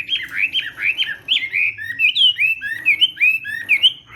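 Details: A Chinese hwamei training its voice in the morning with competitive song: quick series of loud, liquid whistles, each swooping downward, repeated several times a second in a bouncing, rhythmic flow.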